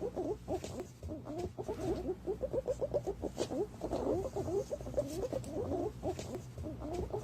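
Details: Green pigeons calling, a recording used as a lure: many birds give quick, looping, warbled whistles that overlap into an unbroken chattering chorus, with a steady low background hum.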